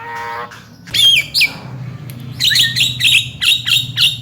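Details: Tame Javan myna, said to be a skilled talker with a full repertoire: a faint whistled note at the start, then a series of harsh, buzzy squawks and sharp chirps repeated in quick bursts, with a low room hum.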